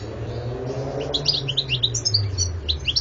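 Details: Twittering song of a European goldfinch recorded in 2014, quick high chirps and short slurred whistles in a lively jumble, heard over a steady low rumble like passing traffic.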